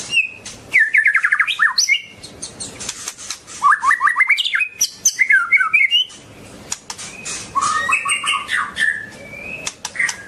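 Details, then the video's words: Long-tailed white-rumped shama singing a rich, varied song: rapid descending trills of slurred whistles, bursts of chattering notes and a sustained rising phrase, with frequent sharp clicks between phrases. "Kicau murai batu ekor panjang super"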